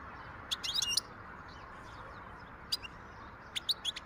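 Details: Wild European goldfinch, 2023, delivering fast twittering phrases: a tight run of sharp rising and falling chirps, a pause, then shorter clusters of two to four notes, with low steady background noise.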